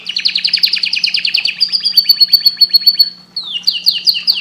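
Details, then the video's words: Canary singing to stimulate breeding: loud rapid rolling trills of repeated notes, a sustained high whistled tone, then quick descending slurred notes after a brief pause; faint steady hum beneath. "تغريد طائر #الكناري للتهييج"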